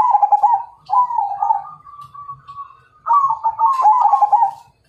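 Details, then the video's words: ['Zebra dove of the Majapahit strain, singing to challenge a rival: trilled coos running into a long, steady, level note, followed by another bubbling phrase; a sharp click midway.'] "Suara Perkutut MAJAPAHIT Ngajak Tarung"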